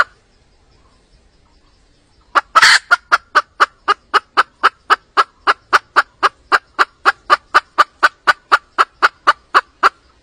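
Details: A wild hen calls in response to drums in a long run of short, clipped clucks, about four a second, steady for eight seconds after a brief louder burst.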